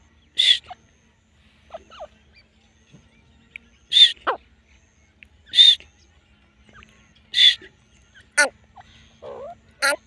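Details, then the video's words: Grey francolin accompanied by a female, calling with loud, abrupt, shrill notes repeated roughly every one and a half to two seconds, followed by quieter scratchy sounds and a low background hum. "teetar ki boli"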